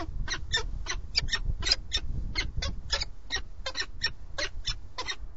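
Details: Peregrine falcon, one of a breeding pair incubating four eggs at a nest in Alcalá de Henares, Madrid, Spain, on a live webcam: rapid series of harsh, chattering notes, roughly four per second, over a low rumbling background.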